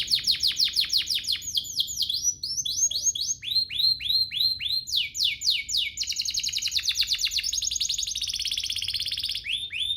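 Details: Canary singing as bait to get other canaries singing: rapid chains of falling notes, then broader upswept whistles repeated in groups, ending in a dense, fast trill and a few swept notes.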